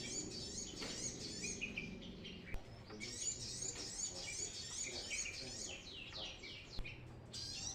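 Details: Brown-throated sunbird in lively song, meant as a lure for newly caught birds: near-continuous high, chattering twitter of quick chips and downward slurs, with faint low background noise throughout.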